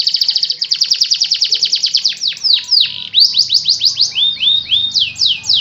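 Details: Caged canary singing steadily on one perch: a fast, even trill of high repeated notes, then a varied run of sharp downward-slurred and rising whistled notes, with a faint low hum underneath.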